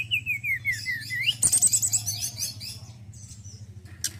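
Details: Male White-browed Shortwing sings a wavering descending whistle series ending in an upslur, then a fast high trill and softer twitters, with a steady low hum behind.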